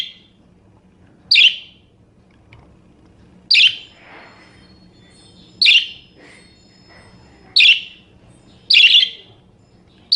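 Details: Short, sharp budgerigar chirps about every two seconds, the last two close together, with quiet chatter between them. Recorded as a tutor sound for songbird training, with a low hum in the background.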